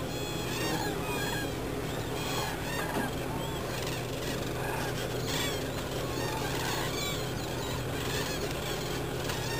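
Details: A flock of demoiselle cranes (Grus virgo) at Agamon Hula, Israel, 12 March 2010, calls nonstop in overlapping, croaking trumpet notes, many voices at once, over a steady low hum.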